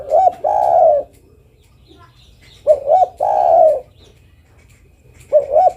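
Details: Female spotted dove calling to the male: two short rising coos run straight into a long, level, slightly falling coo. The phrase comes twice with quiet gaps, plus the start of a third.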